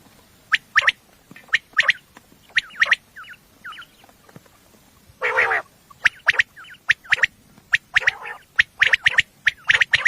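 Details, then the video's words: Common quail at night, a recording used for hunting, described as female: repeated sharp triple notes with soft slurred chirps between them and a half-second burst of rough, hissing noise in the middle. "batair ki awaz night batair sounds for hunting بیٹر کی آواز"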